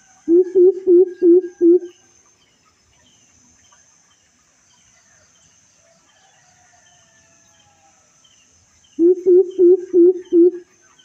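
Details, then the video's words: A coucal gives two runs of deep, hollow hoots, five or six each at a quick even pace, with a long pause between; a faint high insect hiss continues throughout. "suara burung bubut"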